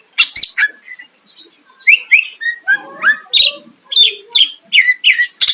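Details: Greater green leafbird song to provoke a rival, a varied stream of whistled slurs, falling and rising notes, and sharp chips at a quick, steady pace.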